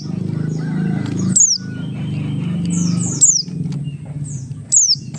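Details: Buxtoni Oriental white-eye song used as a lure to get other white-eyes singing quickly: sharp high descending whistles about every two seconds over a steady low humming background.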